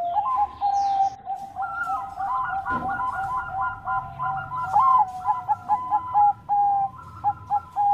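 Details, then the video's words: Vigorous song of a Bangkok-type zebra dove: a low steady coo, then a fast run of stacked, bubbling, stuttering notes, followed by spaced, clipped coo phrases repeated roughly every half second. "Perkutut Bangkok Gacor Bikin Lawan Langsung Nyaut Bunyi"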